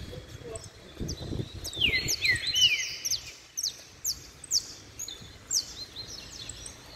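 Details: Caged saffron finches sing in turn: a couple of swooping downward whistles followed by spaced sharp high chips repeated roughly every half second, with soft background noise.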